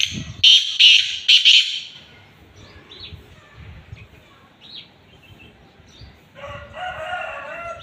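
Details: Black francolin calling in Khushab: a loud burst of harsh, grating notes repeated three times in quick succession, then fainter scattered chirps and a steady hiss-like noise.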